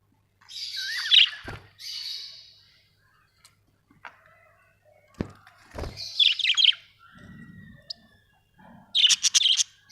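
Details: Pet budgies chirp and twitter in separate bursts, mixed with clicks, knocks and low thuds like movement in a room, ending with a loud chattering outburst.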